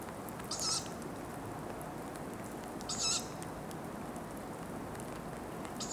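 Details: In Ostankino park, a tawny owl utters short hissing, high-pitched calls roughly every two and a half seconds over continuous low urban background noise.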